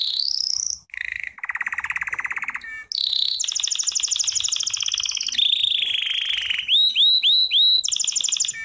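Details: Belgian canary song for training birds: a steady sequence of fast rattling trills that switch pitch from tour to tour, then a series of looping, bubbling whistled notes repeated several times, finishing on a bright high trill.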